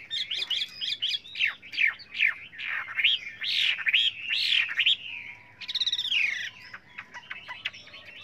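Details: Many-voiced song of a Chinese hwamei, played for training other birds. Loud, rich whistled phrases rise and fall in quick succession, then a fast trill and a thin, steady whistle at the end.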